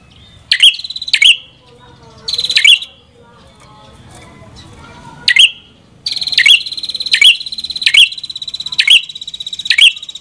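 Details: Song of the prenjak kepala merah: short high buzzy bursts, each ending in a sharp chip. Later the bursts link into a steady run of pulsed trills repeated nearly every second.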